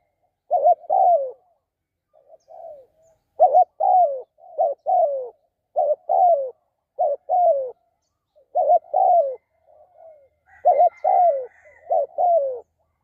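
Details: Spotted dove, kept as a decoy, cooing steadily for over ten seconds with about eight rounds of a clipped double note plus a longer falling coo. Softer muted coos sit between some rounds, and a brief high chirp appears near the end.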